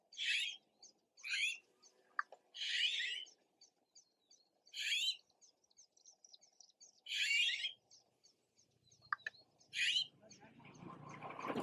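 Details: Fledgling red-billed blue magpies calling with repeated coarse, rasping bursts roughly every two seconds, a soft ticking beneath, and rising rustling noise near the end.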